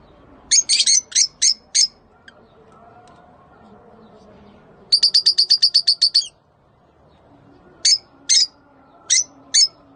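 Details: Rosy-faced and Fischer's lovebirds giving mating calls to stimulate breeding: crisp, high chirps in clusters, one quick run of about ten rapid notes, against a quiet background.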